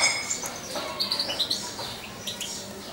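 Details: Syringe-fed young European goldfinch nearly two months old utters a short cluster of bright, high chirps, followed by fainter twitters.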